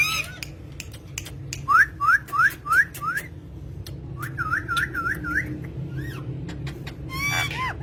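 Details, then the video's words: Talking green parrots: a run of five clear rising whistled notes about a quarter second apart, then a softer series of looping whistles, with scattered clicks and a final squawky burst over steady low hum. "talking parrot"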